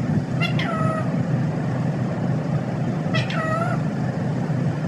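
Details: A pet parrot, said to be talking and saying "mithoo", utters two short harmonic calls about three seconds apart, each starting high and sliding down, over a steady loud low rumbling hum.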